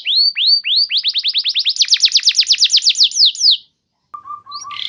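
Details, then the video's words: Canary lure song used to get other canaries singing, in the 'gacor nembak panjang' style: slow rising whistles speed into a rapid series of downward-sweeping notes, then a short pause and a lower steady trilled phrase. "Suara Pancingan Kenari Gacor Nembak Panjang"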